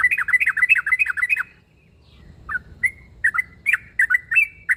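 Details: Sooty-headed bulbul calling to a rival, a call said to set every bulbul nearby answering; quick bubbly run of rising-falling chirps, a short pause, then scattered, spaced, slurred notes.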